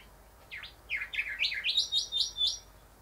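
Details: Rufous whistler (Pachycephala rufiventris), a male singing at windows to his own reflection; loud swooping whistles speed up into a run of five or six even, repeated whipping notes.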